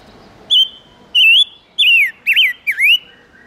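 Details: Silver-eared mesia song used as a lure to attract wild birds: loud, clear whistled phrases about every half second, some flat, others dipping then rising, with bright overtones.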